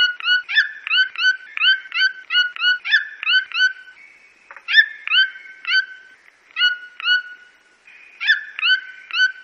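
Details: Brazilian red-billed toucan calling in bursts of sharp, rising, nasal yelps packed closely together, with brief gaps between bursts and a low constant hum underneath.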